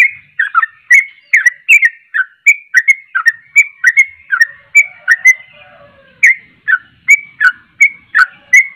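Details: Sooty-headed bulbul singing vigorously to provoke rival bulbuls: fast runs of liquid, falling whistled notes, roughly two to three per second, with a short gap before the phrase resumes, nothing else audible.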